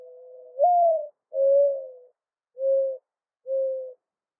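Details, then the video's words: Mourning dove giving its full cooing phrase: a long low coo sliding upward into a louder note, then three steady, even coos about a second apart, with no other sounds. "Mourning Dove Call"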